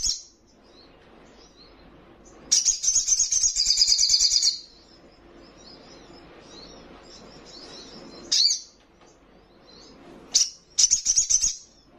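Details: Young spiderhunter in strong voice: a two-second run of rapid high chirps, later a single sharp note and a short, fast chattering burst, with soft faint twitters in between.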